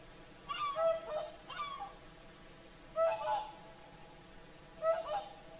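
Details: Sunset chorus of whooper swans on the Lake Saimaa shore in Finland: loud, ringing double honks arrive in clusters about every two seconds, with quiet pauses between.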